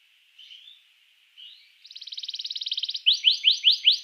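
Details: Canary song meant to set other canaries singing: soft low warbled notes, then a quick, even rattling trill, finishing with five loud, sharply rising notes.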